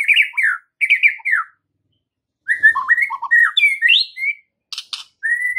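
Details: Masteran song of the white-rumped shama, called murai batu, to draw a reply: clear repeated descending whistled phrases, a pause, then a quick mix of slurred whistles, buzzy bursts and a final rising whistle.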